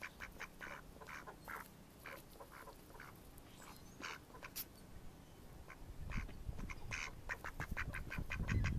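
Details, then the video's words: Mallard ducks recorded in May 2014, giving rapid runs of harsh, nasal quacks in irregular bursts, with a rumbling low noise building toward the end. "Mallard Ducks"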